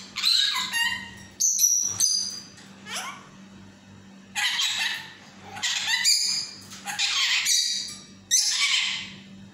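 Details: Talking yellow parrot kept as a pet, uttering repeated loud raspy squawks and speech-like chatter in irregular bursts over a faint indoor hum.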